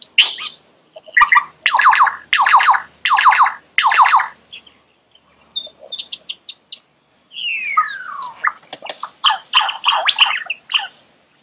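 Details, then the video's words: Lyrebird song with loud harsh buzzy bursts repeated roughly once a second, a quieter stretch of thin notes, then a long downward-sliding whistle and mixed chatter. "Lyrebird sound"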